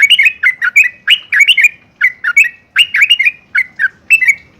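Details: A yellow-vented bulbul (Pycnonotus goiavier), possibly a female calling a male, sings a steady run of short, bubbly, chortling phrases, about two each second, with mid-pitched liquid notes. Recording meant to stimulate kept bulbuls to sing.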